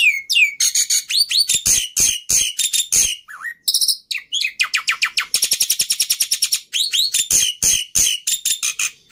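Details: Energetic Black-winged myna song mixing rising whistles, rapid dry chattering trills and repeated sharp chip notes in a rapid, irregular stream of roughly three notes per second.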